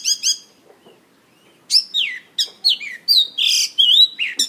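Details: Mongolian lark singing and dancing on stage: two quick high chirps, a short pause, then a rapid run of sharp slurred whistles, buzzy trills and descending chirped notes.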